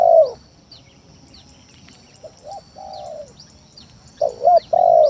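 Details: Spotted dove cooing, played as a lure to goad rivals into answering. A loud falling coo fades, then quieter short-and-long coo phrases follow before a strong stuttering coo ends the passage. Faint twittering birds sound in the background.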